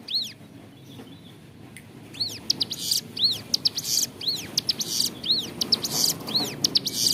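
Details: Bar-winged Prinia singing vigorously in a clear voice, a recording meant for training captive songbirds: after two quiet seconds, high arched whistled notes alternate with harsh buzzy bursts, roughly one phrase per second.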